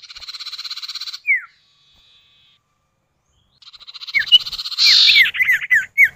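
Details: Male and female common iora duetting as a lure for other birds: a long buzzy pulsed rattle and a falling whistle, then a second rattle overlapped by quick, excited downslurred whistles.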